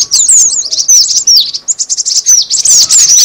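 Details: Cinereous tit call for luring birds. A short, dense flurry of high, quick chirps, some sweeping downward, others clipped, running almost without pause.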